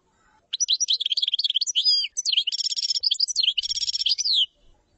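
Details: Common chaffinch (tabbalat) delivering two bright, high song phrases back to back, each a run of fast chirps that turns into a trill and ends in a falling flourish, with faint low thumps near the end.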